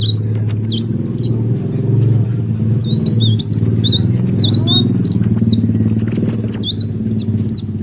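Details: Leaf warbler song used to lure other birds into calling: a fast, unbroken stream of thin, high, squeaky slurred notes and twitters over a steady low droning hum.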